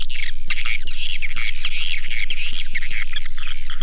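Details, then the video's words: Swiftlet flock sound: loud overlapping twitters and buzzy squeaks filling the upper range, with a rhythmic low pulse about four per second beneath. "Suara Burung Walet"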